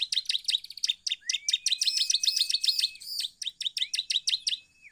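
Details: Bar-winged prinia (ciblek) song used as a lure to make other birds sing: loud, dense chatter of sharp high notes in quick succession, with a long thin whistle running beneath, then steady staccato notes.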